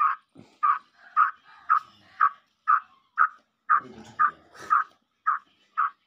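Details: Grey francolin, locally dakhni or Irani kala teetar, whose call is played to make captive birds call and get excited: a steady run of harsh, mid-pitched notes about twice a second, with a brief rough noise partway through.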